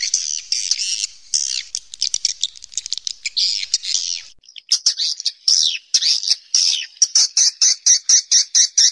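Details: Swiftlets in a cave twittering busily with high, rapid chirps. Toward the end this becomes a steady series of sharp, clipped notes, about two each second.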